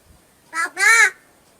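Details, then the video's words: Talking crow from Palghar mimicking human words such as "kaka" and "baba": a short two-syllable utterance, a brief harsh first note followed by a longer, rich, voice-like second syllable, in a quiet indoor-sounding setting. "Palghar Talking Crow काका बाबा पालघरमधील बोलणारा कावळा पाहिलात का"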